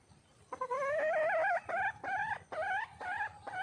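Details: Female junglefowl in the wild calls for a male with a rhythmic run of loud, nasal, harmonic notes, one longer and then several short ones, each wavering slightly in pitch.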